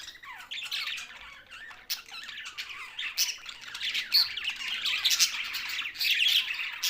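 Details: Budgerigar chatter: rapid rising and falling whistled slurs, squeaks and squawks from several of these Australian parrots, growing slightly louder toward the end.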